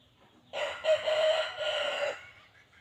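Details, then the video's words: Red junglefowl, a wild chicken, crowing once: a hoarse, drawn-out crow of about one and a half seconds. It peaks early, then carries on raspy and fades at the close against faint low background noise. "suab qaib qus"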